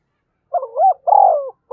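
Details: Short burst of a Spotted dove calling to goad a rival: a wavering rising note followed by a long, loud, rough coo, with the next phrase just beginning.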